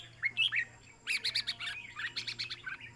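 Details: Red-whiskered bulbul song at a singing competition with notes counted: rapid chirpy whistled phrases in quick series, overlapping birds, low background hum.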